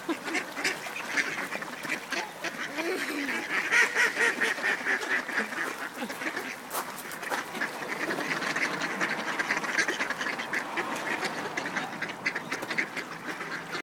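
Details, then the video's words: Ducks competing in a flock for a frozen bagel, producing a continuous chorus of rough, overlapping quacks and honk-like calls, roughly two per second, amid splashing and general background noise. "Duckfight over a Frozen Bagel"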